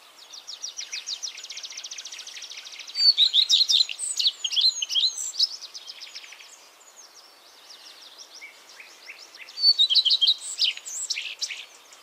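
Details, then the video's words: A common redstart singing in the Netherlands gives short, high phrases opening with thin notes and ending in a jumbled, scratchy twitter, with pauses between them. Other small birds twitter faintly behind it. "Common Redstart Singing"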